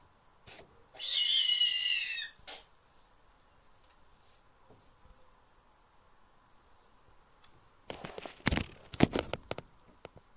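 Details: A nesting snowy owl in a breeding-centre aviary gives a single high, harsh, drawn-out screech lasting over a second, followed later by a burst of clattering knocks.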